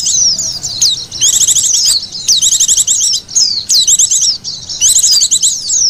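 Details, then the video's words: Oriental white-eye calls used to lure wild birds: bursts of rapid high twittering alternate with single slurred downward notes, roughly every second. "SUARA PIKT BURUNG PLECI PALING AMPUH"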